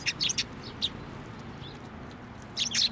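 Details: A few brief high chirps from sparrows fed by hand at a Tenmangu shrine in November 2023, then a quiet pause and another quick cluster of notes.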